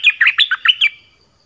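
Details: Short decoy phrase from an Orange-headed thrush, used to lure wild birds; five or six quick, loud whistled notes that slur down and up, ending in a fading high tone.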